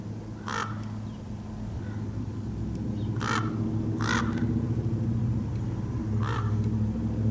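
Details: Large male common raven making a few short, harsh, widely spaced calls over a constant low mechanical rumble.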